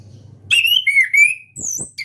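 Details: Caged young orange-headed thrush practising its song: loud, rich whistled warbling in sliding phrases broken by brief pauses, with a few higher sharp notes near the end and a faint low hum before it begins.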